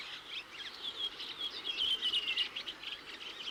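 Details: Redwings, winter visitors and passage migrants from Iceland and northern Scandinavia, give thin, high, seeping contact calls like those made flying overhead at night, mixed with squeaky chattering. Several overlap almost three times a second over faint hiss.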